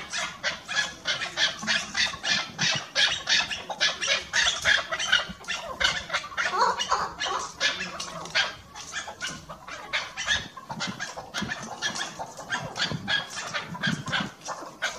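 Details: A female chukar partridge in a mountain village gives a fast, harsh run of repeated chuck notes, about three each second, rough and throaty throughout.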